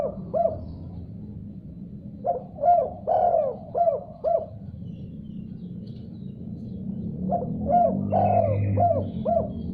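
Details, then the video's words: Spotted dove falling silent, then answering at once after hearing another call: low, mellow cooing phrases of several rapid notes, three bursts spaced a few seconds apart, over steady low background hum. "Tekukur Diam Seketika Langsung Respon Nyaut Gacor Setelah Dengar Suara Ini"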